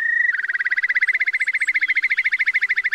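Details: Eurasian curlew used as a lure for night net trapping on August 2024 migration: a short clear whistle that runs straight into a steady, rapid bubbling trill of evenly spaced pulses.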